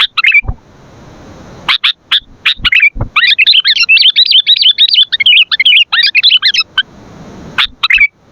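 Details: Vigorous 'gacor' sooty-headed bulbul song for luring and training birds: a few sharp chips give way to a long, fast, chattering warble of tumbling high notes lasting about four seconds, then more chips.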